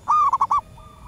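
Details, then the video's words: Female zebra dove in the wild, a local bird calling to lure males: one drawn-out level coo followed by three quick staccato notes, with a fainter answering coo afterward. "Suara perkutut alam liar pikat burung sekampung nyaut penuh emosi"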